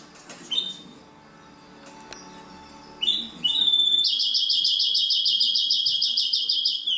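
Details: Hybrid of European greenfinch and canary singing: brief high whistled notes, then a sustained rapid buzzy trill repeated steadily for about three seconds, with a faint hum in the background.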